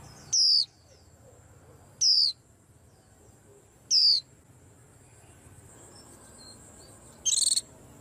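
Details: In a rack of cages, a white-eye whose voice is said to unsettle the whole rack: three thin, high descending whistles about two seconds apart, then a harsher, buzzier note, over low background rumble.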